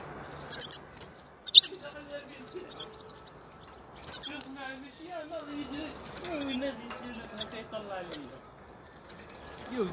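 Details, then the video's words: European goldfinch sounding crisp high double and triple chirps at irregular intervals, with faint lower gliding whines and murmurs in the background between the bursts. "Huzur verici saka sesi mūkemel"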